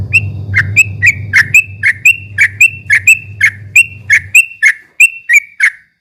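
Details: Ropel-style song of a straw-headed bulbul meant to rouse rival birds: a fast, even string of bright two-part chip-chew notes, about three per second, over a low steady hum that fades midway.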